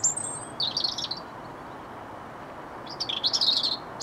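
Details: At RSPB Rainham Marshes, on 8 October 2016, a European robin sings two thin, high, tumbling phrases of sweet warbles and trills, separated by a pause of nearly two seconds, over a faint background hush.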